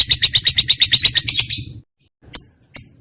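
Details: Lovebird singing, a trained bird: a short burst of fast, shrill chattering notes that fades out, silence, then two single sharp high chirps.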